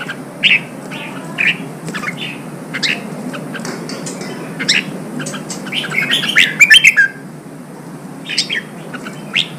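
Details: Red-whiskered bulbul sound aimed at firing up caged birds for combat, Vietnam: spaced short chirping notes about once a second, a loud jumbled flourish of high notes around six to seven seconds, then more scattered chirps.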